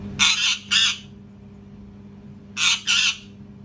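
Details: Parrot screaming in paired bursts: two harsh, loud screeches close together, a pause of about one and a half seconds, then another pair.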